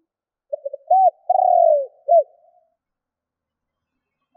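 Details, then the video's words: Spotted dove calling to provoke wild doves. One phrase: a few quick soft notes, an arched coo, a long rolling descending purr and a short ending hoot, followed by silence and the onset of another note. "Chim Cu gáy gọi kích bổi / Tiếng cu gáy kích bổi Hiệu quả"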